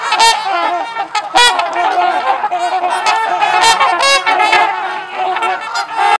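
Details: Trumpeter swans gathered and socializing at LaSalle Park, Ontario, Canada, trading loud nasal trumpeting honks, many birds calling over one another in an unbroken clamour.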